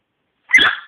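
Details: A macaw gives one short, harsh, cough-like burst, noisy with a buzzy, ringing edge, after a half-second of silence. A person's voice is heard around it.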